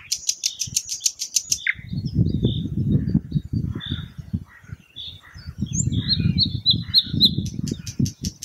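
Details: Thrush nightingale singing: a fast run of high dry clicking notes, then a varied string of short whistles, chirps and rattles at mid-high pitch, over a steady low rumble, ending in another quick clicking series.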